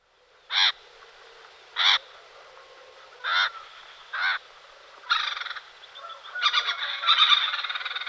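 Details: Great spotted cuckoo (Clamator glandarius) gives four harsh, rasping notes about a second apart, then breaks into a fast, grating chatter that grows louder toward the end.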